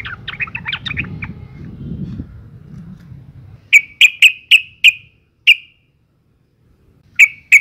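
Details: Calling female sooty-headed bulbul in breeding condition, the sound used to lure males to sing; noisy twittering first, then six sharp chirps in quick succession, a pause, and two more.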